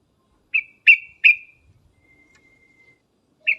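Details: Calling sooty-headed bulbul giving three loud, abrupt chirps in quick succession, followed by a faint thin steady whistle and one more chirp after a short gap.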